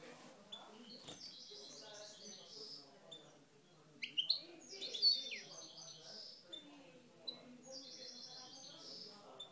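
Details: Aggressive song of a caged Algerian parva goldfinch: bursts of high, bright twittering and rapid chirps, with louder tinkling phrases in the middle and quieter trills between, over faint room noise.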